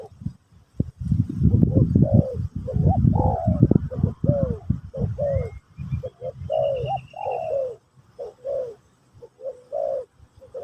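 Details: Spotted dove (terkukur) cooing in the Pesom/Kacuk style as a teaching session for a new bird: a run of low hollow coos, some drawn out and falling, over rumbling noise at first, with a brief high thin whistle from another bird.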